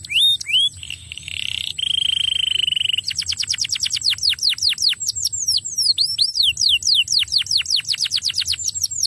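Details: Canary song played to lure a quiet canary into singing: a few sharp notes, a sustained buzzy tone, then long runs of fast, steeply falling whistled sweeps repeated several times a second, over a faint steady high hum.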